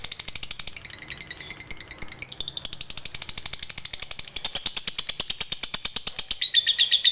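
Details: Long ngekek chatter from a fighter lovebird, played as a lure for other lovebirds: dense, rapid high-pitched notes running without pause, the pitch stepping up and down across the phrase.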